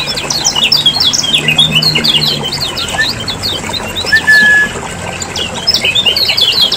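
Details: Noisy chatter of lemon-bellied white-eyes from Lombok, used as a lure to make caged birds sing: a continuous stream of sharp high chips and twitters, with one steady whistled note near the middle.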